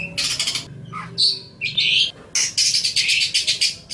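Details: Long-tailed shrike song recorded as a master track for training other songbirds: harsh, scratchy broadband bursts alternating with short clearer whistled notes, then a long run of rapidly repeated raspy chattering phrases.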